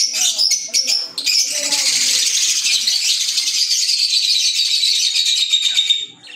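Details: Pet green Fischer's lovebirds, an African lovebird, give a few sharp chirps, then a sustained, dense, shrill twittering chorus that fades at the end.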